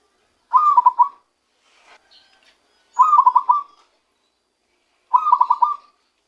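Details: Zebra dove caught by luring, starting to give its true voice: three cooing phrases about two seconds apart, each a fast run of mellow, rolling, pulsed notes at mid pitch, with faint soft notes between phrases.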